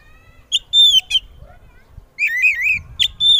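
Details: Oriental magpie-robin giving loud song to prompt other magpie-robins to answer: clear sustained whistles, a soft pause, then a rippling warble and a final bright whistle.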